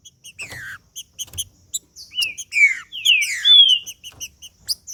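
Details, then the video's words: Male green-winged saltator in macheando song, played to heat up other males: rich, loud whistled phrases sweeping downward, broken by rapid, repeated high chipping notes at roughly two per second. "Trinca ferro Macheando com Trinca ferro cantando Para Esquentar Trinca ferro"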